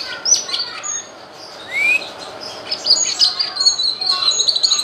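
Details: Cucak kinoy used for teaching song variety to other birds: scattered sharp chirps, then a quick upslurred whistle, followed by a dense stretch of high twittering.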